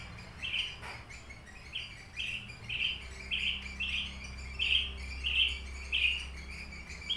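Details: Captive Horsfield's bush lark, subspecies aliena from Papua, giving a string of short buzzy chirps about every half second, evenly paced, over low room hum.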